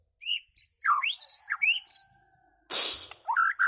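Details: White-rumped shama from Medan with an unusual song: varied whistled notes, rising and falling sweeps and short chirps in quick bursts, broken near the end by a loud rushing noise burst, then more whistles.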